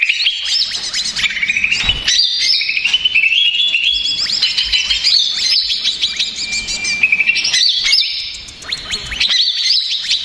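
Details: Greater green leafbird, a stressed, agitated male used as a lure recording to provoke other leafbirds: loud, busy high song of rapid chirps, rising slurred whistles and quick trills, phrases shifting constantly with brief pauses near two and eight seconds.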